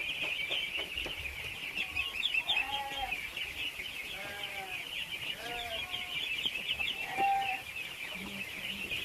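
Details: Ducklings crowding to food peep shrilly and continuously, while several lower, wavering drawn calls break through, plus a few sharp knocks and brief low notes near the end.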